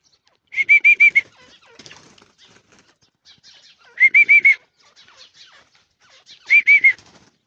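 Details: Irani teetar partridge calling in three bursts of four to five rapid, clear whistled notes spaced about three seconds apart, with soft rustling and scratching sounds between the bursts.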